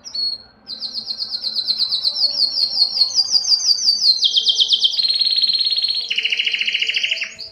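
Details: Belgian canary song intended to stimulate females for mating: a long series of fast high trills that step up and down in pitch, with repeated pulsed notes throughout.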